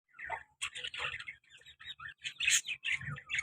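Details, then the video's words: Pet lovebird pair, a colour male and a black mask female, described as very active, giving a run of shrill, scratchy chirps in short bursts with brief gaps, some notes sharper and louder near the end. "colour love bird male and black mask female beautiful sounds"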